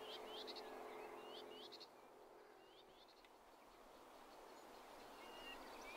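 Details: Common Whitethroat near Blaby and Wigston, Leicester, giving quick, scratchy high chirps and short rising notes in brief bursts, fading after two seconds, over steady hiss and a low background hum.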